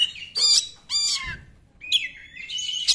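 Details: Oriental magpie-robin singing in the 'nembak' style, used as a lure to prompt reluctant magpie-robins to sing: short bursts of bright, harsh chirps and rising whistles, separated by brief pauses.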